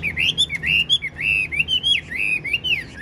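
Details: Caged Chinese hwamei, a tamed bird with a spread tail, singing: quick looping whistled phrases sliding up and down in a continuous warble, with low room hum underneath.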